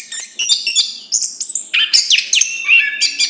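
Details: A chestnut-capped thrush pours out a steady stream of high twitters and whistles, including downward-sliding notes, with barely a pause across the phrase.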